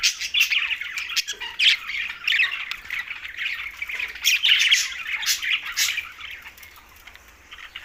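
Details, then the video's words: Green budgerigars feeding in Larkana, Sindh: lively warbling chatter with repeated loud squawks, busiest in the first five seconds, then quieter chirping. "Green Budgies Talking"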